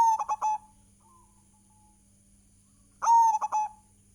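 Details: Local zebra dove from Indonesia, recorded as a lure song to get other doves singing. The tail of one phrase is followed about three seconds later by a full phrase: a long coo and three quick clipped notes.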